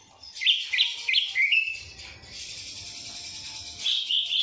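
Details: Greater green leafbird singing a song filled with kapas tembak phrases: loud, sharp rising whistles repeated in quick succession, then a harsh buzzy stretch and bright high whistled notes at the end.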